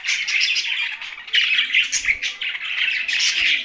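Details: Budgies kept with a parrot, Larkana, Sindh: strong bursts of high twittering and chirping chatter in waves, with a few faint low knocks in the background.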